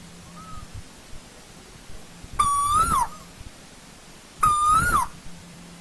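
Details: Asian koel in old-growth forest: two loud whistled notes two seconds apart, each level, lifting, then dropping sharply. A faint, distant similar note comes first, over a quiet low hum.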